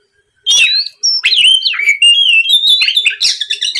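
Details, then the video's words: Oriental magpie-robin delivering a continuous lure song after a brief silence: warbled, wavering whistles and quick slurred notes run together, used to make rival birds reply and sing. "TERAPI MEMANCING KACER LAWAN AGAR LEKAS BUNYI NYAUT & GACOR, SUARA PIKAT BURUNG KACER GACOR NGEPLONG"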